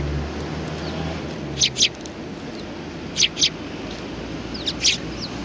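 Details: Eurasian tree sparrows feeding together at a Tenmangu shrine on 19 April 2019 give paired high chirps about every one and a half seconds, with a low engine-like rumble fading out early on.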